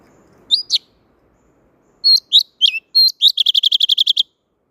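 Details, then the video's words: Wild-type song of a blue-throated flycatcher: high sharp downslurred whistles, first spaced singly, then ending in a fast run of about ten identical clipped notes. "Âm thanh Chuẩn Rừng tiếng Chim Thanh Tước"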